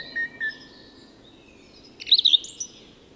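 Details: Song thrush at dawn in Tyresta National Park, Sweden: two short whistled notes, a thin sustained high tone, then a loud sharp burst of rapid chirped phrases.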